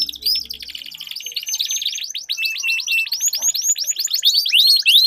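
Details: Two canaries competing in song: a continuous buzzy rolling trill underlies high clear rising whistles that repeat about every third of a second, with a faint low hum at the very start.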